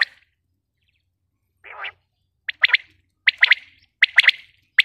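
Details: Female common quail (batair) calling: sharp, bright clicking notes grouped in quick doublets and triplets, repeated roughly every second, preceded by a short buzzy burst, against a quiet background.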